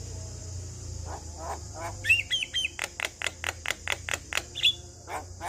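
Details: Male Javan myna singing, a song said to get other Javan mynas going: quiet opening, then a few squeaky whistles and a steady run of harsh clicking notes, with a high hiss and low hum behind.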